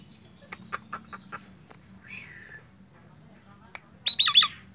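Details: Nias hill myna in full song, meant for tutoring or stimulating other mynas: a quick run of dry clicks, then a falling whistle and a loud, harsh squawking burst at the end, over a low hum.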